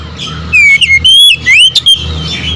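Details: Oriental magpie-robin giving three loud swooping whistles with sharp chip notes between them, each phrase rising and falling, against a steady low rumble.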